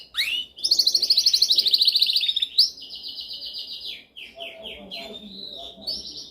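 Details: Canary singing a dominant song for training: a loud fast pulsed trill held for about two seconds, then a steady whistled roll, descending chirps and bright high notes.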